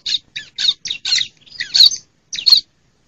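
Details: Bar-winged prinia female voice used as a lure for lazy-singing males and wild birds; about seven quick, harsh, squeaky chirps in a short series, the later ones longer and spaced wider.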